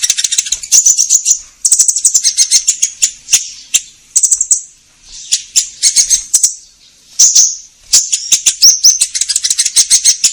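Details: Orange-headed thrush singing energetically, used as a lure to get caged birds singing: long stretches of fast, high, chattering and buzzy twitter broken by brief pauses, with a few clear whistled notes in between.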